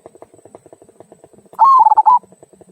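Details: Local zebra dove giving the "kung" style of song, used to prompt other birds to sing: soft repeated pulses, then a loud, rolling, tremulous coo lasting about half a second before the faint pulses resume.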